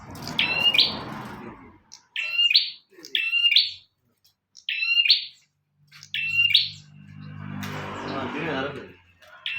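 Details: Bar-winged prinia singing energetically, for use as a master recording: loud, strident double-noted phrases repeated at irregular intervals of one to two seconds, with a low rumbling noise in the later seconds.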